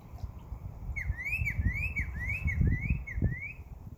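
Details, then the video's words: Summer backyard birds: a quick series of rising-then-falling sweeping chirps, several per second, with thumping low-pitched noise underneath. "Birds Chirping Sound"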